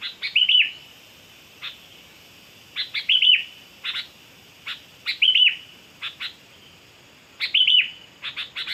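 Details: Kutilang lure recording of a sooty-headed bulbul: four bright, warbled phrases spaced about two seconds apart, with single sharp clicks scattered between them.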